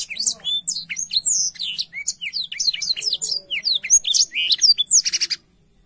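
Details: Energetic black-throated canary song, used as a tutor for young canaries. Rapid chirps and swept whistles come several per second, ending in a harsh buzzy burst before falling silent.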